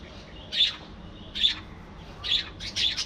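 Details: Budgerigars in a colony, giving four short, bright chirps spaced under a second apart, each a high tweet with a quiet pause between, against a faint steady background hiss.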